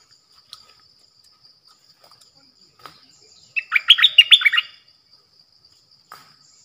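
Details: Decoy bulbul song recorded 8 May 2021: after near silence, one roughly one-second burst of quick, warbling, liquid notes sweeping down and up. A steady faint high tone runs throughout.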